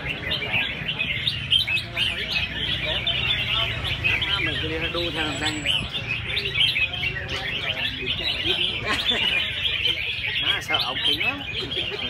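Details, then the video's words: Red-whiskered bulbuls competing in a caged-bird singing contest, second edition, selection round of 24 birds; overlapping lively chirping and quick whistled phrases fill the clip continuously, crowd murmur underneath. "THI CHIM CHÀO MÀO"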